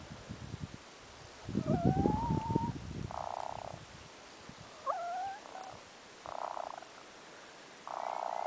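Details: A hen, just after a dust bath in fire ash, gives rising whistled notes and four short, buzzy nasal bursts about a second apart, over low rumbling thumps near the start.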